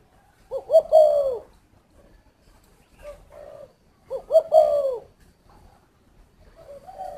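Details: Captive Spotted dove at an aviary in Ba Vì, Hanoi, Vietnam: two throaty, stuttering coo phrases about three and a half seconds apart, each trailing into a long drawn note, with soft coos between.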